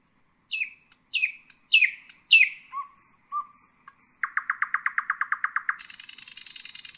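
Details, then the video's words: A varied common nightingale phrase: four falling notes, low whistles and high clicks, then a very rapid series of about twelve chirps, ending in a high buzzy trill. "Common nightingale,beautiful birdsinging"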